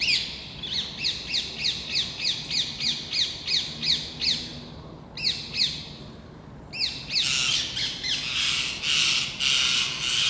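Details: Around ten rose-ringed parakeets, wild and overexcited, mob a red squirrel in plane trees of the Versailles palace gardens. Harsh screeches repeat about three times per second, pause, then swell into a dense overlapping shrieking chorus.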